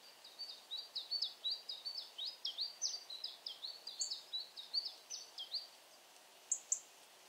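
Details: Siberian chiffchaff, subspecies tristis, singing in Bremen, Germany on 22 October 2022: a fairly faint, rapid series of high thin chirping notes, about four per second for over five seconds, followed by two sharper high notes.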